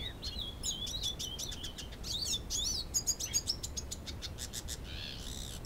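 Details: Captive-bred two-year-old male hooded siskin in Canoas, Rio Grande do Sul, courting a female Belgian canary; rapid, varied twittering song of high whistled slurs, buzzy trills and sharp chips in quick succession, ending in a harsh rasping burst.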